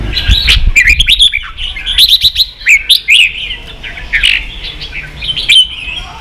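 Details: Red-whiskered bulbul song in the 'ché' style for teaching young birds: energetic whistled warbles and sliding notes in quick bursts, with sharp chirps between phrases and some low knocks at the start.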